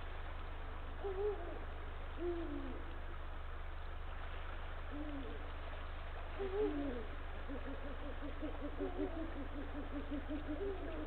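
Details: Female Eurasian eagle-owl and her mate at a nest on Estonia's northern coast on the evening of 21 March 2023. They give low, short hoots and grunts at uneven intervals a few seconds apart before copulation, over a steady low hum.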